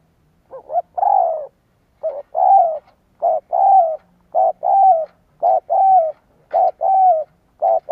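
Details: Lure recording of a spotted dove cooing repeatedly: about seven phrases in eight seconds, each a clipped short note followed by a longer, smooth coo that slides slightly downward, in a steady rhythm.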